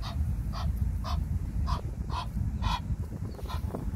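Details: One of an Egyptian goose pair in a park, the male described as very chatty, gives six short, harsh, nasal honks about every half second over a heavy low rumble of wind or distant traffic.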